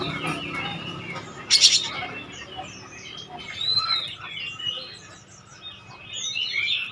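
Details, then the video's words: Oriental magpie-robin song played as a lure to provoke other birds to answer: quiet, varied high whistled phrases and short chirps with rising and falling slurs, a brief loud burst early on, faint low hum beneath. "KACER GACOR PANCINGAN HANDAL BIKIN LANGSUNG NYAUT"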